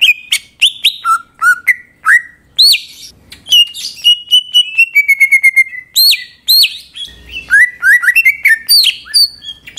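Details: A Greater green leafbird (Chloropsis sonnerati) gives a rich, fast song of sweet rising whistles, sharp chips and rapid trilled runs mixed with mimicry, loud and continuous, used to provoke other leafbirds to sing.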